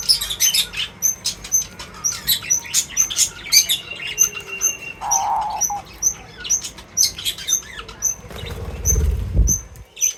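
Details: Birds at feeding time give a lively run of rapid, high, clipped chirps, about two each second, with an occasional buzzy mid note and a low thump near the end.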